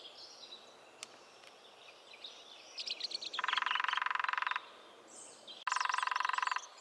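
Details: Lesser spotted woodpecker, New Forest: two separate rapid, even drum rolls about a second long each, separated by a short pause, with chirping birds in the background before the first roll.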